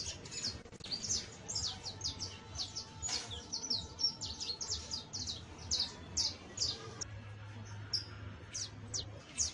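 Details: Young Saffron finch practising early song with trills and chattering: rapid, uneven stream of high thin chips and downward-sweeping notes, a brief pause near the end, low steady hum beneath.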